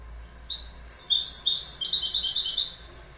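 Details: Goldfinch song in spring, a brief high note then a fast liquid twitter of repeated tinkling phrases, roughly three per second, running for about two seconds.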